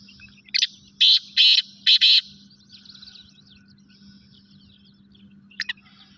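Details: Black francolin (Francolinus francolinus), call.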